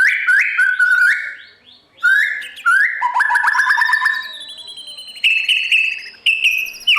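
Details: White-rumped shama singing at dawn as a training model for wild-caught competition birds; loud mellow whistled phrases and fast rattling trills, separated by a short gap, ending with repeated high bright notes.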